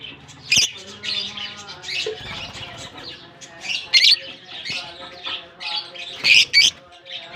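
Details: Lovebirds just released into their colony in Germany at the start of the summer season: a dense flock chatter of shrill, high chirps and squeaks overlapping continuously, with louder sharp bursts near the second and sixth seconds.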